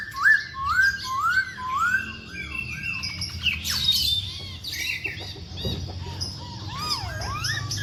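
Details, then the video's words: Masked laughingthrush singing hard: rolling, bouncing whistled phrases, a harsh burst of noisy squawks midway, then long swooping whistles that dip and rise, with background chirps. "KICAU BURUNG POKSAY HONGKONG GACOR"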